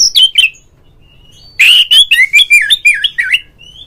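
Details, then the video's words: Oriental magpie-robin lure song meant to provoke a caged rival into singing with spread tail; a few sharp notes, a thin held whistle, then a burst of rapid warbled, up-and-down whistled phrases. "mencari LAWAN TARUNG suara pancingan burung Kacer agar CEPAT GACOR FULL buka ekor dongkrak EMOSI"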